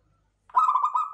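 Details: Local zebra dove of the klowongan kind starts a coo after a brief silence. A string of fast, bubbling pulses merges into a steady tone that is still running as it cuts off.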